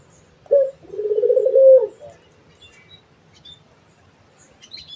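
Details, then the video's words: Barbary dove calling actively: one sharp clipped opening note, then a rolling, purring coo that swells and ends on a held tone, followed by quiet with faint high chirps from other small birds. "SUARA BURUNG‼️ PUTER GACOR"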